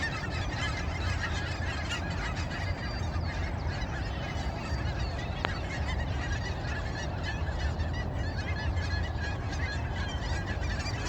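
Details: A large flock of Canada geese at sunrise honks without pause, with many loud, nasal calls overlapping over a steady low rumble.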